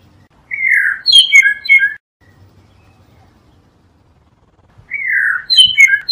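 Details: Blue mockingbird singing a loud slurred whistle that breaks into a quick descending tumble of higher notes, then after a quiet gap the same phrase repeated almost exactly.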